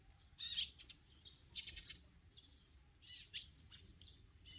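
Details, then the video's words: Sparrows chirping: scattered short, harsh chirps in irregular clusters, some overlapping, over quiet outdoor background. "참새, Sparrow"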